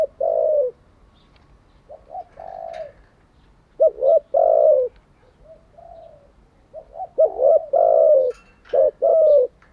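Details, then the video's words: Decoy spotted dove calling, recorded for daily training of fresh-caught and decoy doves; three loud low coo phrases, each clipped notes leading into a drawn-out rolling coo, separated by soft, faint coos in a quiet setting. "Tiếng chim cu gáy mới nhất, dùng luyện chim gáy bổi và mồi hàng ngày"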